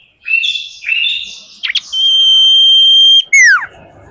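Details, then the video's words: Common iora female lure call: warbled chirping notes, then a brief double note, a long level whistle held over a second, and a final note sweeping steeply down. "Sirtu gacor"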